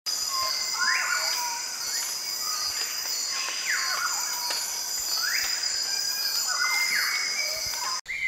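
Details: Black-throated wren-babbler (Turdinus atrigularis) at Danum Valley, Sabah, Malaysia, giving swooping whistled notes that rise then drop, roughly every two seconds, over a steady high insect drone.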